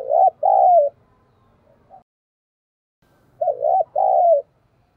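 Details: Two matching phrases from a lure spotted dove, each a quick rounded double coo then a sustained falling coo, low and mellow, with a quiet gap between.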